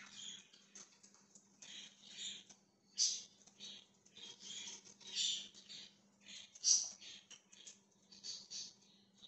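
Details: Budgerigar chirping on January 20, 2023: a soft, continuous run of short scratchy chirps and clicks, with a few sharper louder notes scattered through and a low electrical hum behind.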